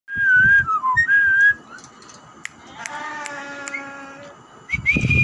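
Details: Javan myna mimicking vocabulary: clear whistled tones near the start, a harmonic, speech-like phrase in the middle, then a rising whistle at the end, with a low rumble in the background.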